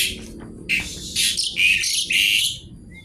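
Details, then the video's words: Javan pied starling giving kretekan nggaruda song, a quiet start followed by loud raspy crackling phrases and buzzy squawks, fading out after two and a half seconds. "jalak suren gacor kretekan nggaruda"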